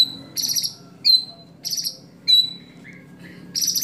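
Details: Competition-style white-rumped shama song, with 'isian' fill-in phrases liked by judges: short loud buzzy high bursts alternating with pure whistles dropping in pitch, about once every half second.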